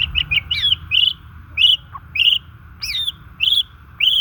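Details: White-rumped shama, natural voice for rousing shamas that are silent or stressed: high, bright chirped whistles, many slurred or hooked, delivered in short separate phrases roughly every half second, with a low hum underneath.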